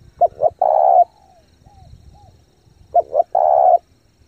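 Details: Spotted dove lure bird cooing intensely to attract wild doves: two clipped notes and a long coo, twice, with soft short whistled notes in between and light background noise.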